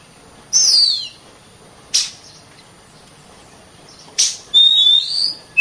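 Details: Sparse oriental magpie-robin (kacer) song: a few isolated sharp notes and a brief level whistle, separated by long quiet gaps.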